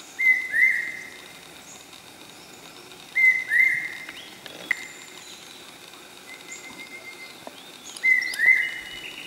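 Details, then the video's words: Common hawk-cuckoo (Brainfever bird) calling at Okhrey, West Sikkim, giving short, shrill, rising whistled phrases of two or three notes, repeated every few seconds over faint background bird chatter. "Common or Large Hawk Cuckoo or Brainfever bird calling"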